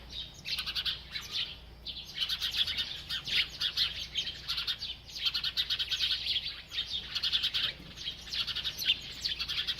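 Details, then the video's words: A small bird, feeding, chirps steadily in dense, high-pitched bursts of rapid ticking notes, pausing briefly every second or two; no other sounds stand out. "This Happy Bird Won’t Stop Eating and Chirping"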